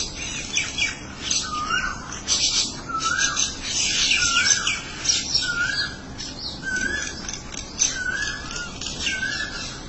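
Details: Mynas calling to one another: a short curling whistle repeated about every one to two seconds, set against constant scratchy chattering and squeaks.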